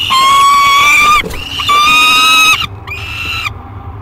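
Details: Thirty-day-old peregrine falcon chick in its nest box at Great Spirit Bluff, July 2021. It gives three drawn-out, grating wails, and the last one is shorter and softer.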